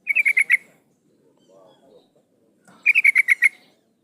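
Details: Female sooty-headed bulbul calling for a male, as a lure: two bursts of five to six rapid chattering notes separated by about two seconds of near silence with faint low rustling.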